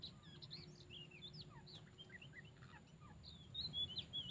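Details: Oriental magpie-robins, three wild birds drawn in at once to a placed bird; quick scattered whistled and slurred notes, rising and falling, overlapping from more than one singer, over a low steady rumble, growing louder toward the end.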